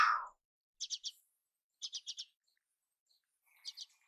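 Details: A red-billed chough gives a harsh opening note, then quick bursts of three or four sharp, high chirps about once a second.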